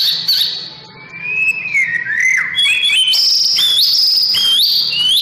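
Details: White-rumped shama singing during morning sunbathing: clear whistled notes sliding up and down, then steps climbing to higher, ringing whistles and trills, delivered in a continuous rich flow.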